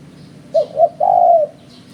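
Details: Trapper's lure recording of a spotted dove: two clipped, soft coos then one longer, even, low-pitched coo, with faint bird chirps behind and a steady quiet hum.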